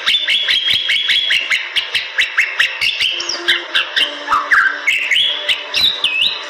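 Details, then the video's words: Gacor-style singing of a Bali myna: a string of bright whistles and warbled phrases, some sliding downward, punctuated by regular sharp clicking sounds. "Jalak Bali Gacor"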